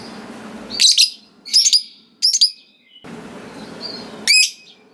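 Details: Lovebird, a fighter bird in full voice, giving loud clustered shrill chirps, about three close together, then a quieter pause and one more sharp burst, over light background hiss.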